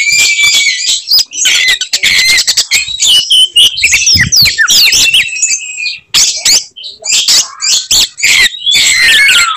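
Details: Oriental magpie-robin singing nonstop in fighting mode, characteristic bursts that make other magpie-robins furious; long torrent of varied whistles, buzzy rasps and rapid chips, a short break around six seconds, a descending whistle at the end.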